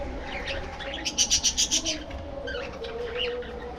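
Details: Budgerigar flock in a breeding colony aviary: a quick run of about six evenly pulsed, bright ticking notes, with softer warbling chatter from other birds before and after.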